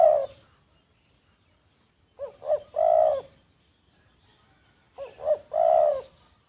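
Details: Spotted dove used as a decoy, secretly recorded: a trailing coo, then two full phrases of two short arched notes followed by a long, steady, low coo, about three seconds apart, in quiet surroundings.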